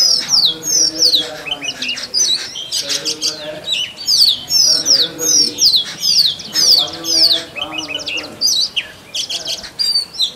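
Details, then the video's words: Oriental magpie-robin male in forest, singing to attract a mate: a dense, varied stream of bright whistles, sharp chips and downslurred notes, with fainter lower buzzy tones underneath. "Male Oriental Magpie Robin Singing"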